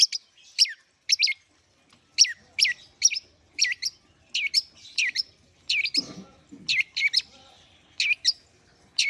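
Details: Long-tailed shrike in warm-up singing, giving paired sharp high chirps repeated roughly every half second, steady and insistent, with a brief low rustle midway.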